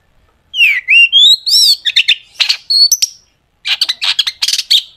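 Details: Long-tailed shrike song meant to lure other shrikes into singing; rising whistled slides open the phrase, followed by harsh rasping bursts and clipped chirps, a short gap, then a rapid rattling cluster of scratchy notes.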